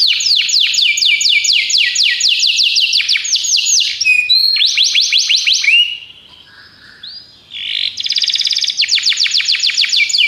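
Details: Belgian canary training song with long runs of quick descending sweeps, a brief pause with soft notes around six seconds, then resuming with dense buzzy trills and rapid repeated syllables.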